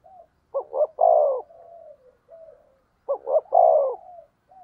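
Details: Spotted dove calling as a decoy to stir up rivals: two low cooing phrases, each made of a couple of short, clipped coos followed by a fuller, longer coo, then quieter trailing coos.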